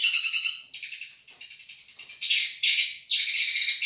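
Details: Long-tailed shrike, Madura type, a champion bird recorded for tutoring: continuous high, scratchy chatter with a thin steady whistle running through, broken by loud harsh bursts.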